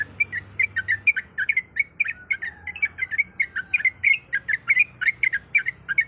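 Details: Sooty-headed bulbul, a female in breeding condition, calling the male; rapid rasping chirps tumble along several per second, loud and continuous, with a faint low hum behind.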